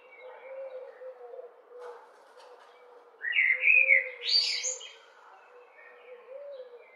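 Eurasian blackbird gives a single rich, fluty warbled phrase that ends in a thin, high squeaky twitter. Soft low cooing runs underneath throughout.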